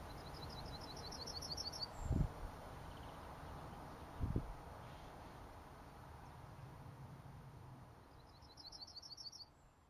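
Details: Yellowhammer recorded on 22 June 2012, singing a thin, high series of rapidly repeated notes near the start and again near the end, over steady low rumbling background noise with two brief knocks.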